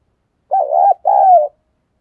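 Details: Decoy spotted dove cooing to draw in wild doves, thổ voice style. One phrase: a quick wavering coo followed by a longer, smooth, slightly falling coo, with silence on either side.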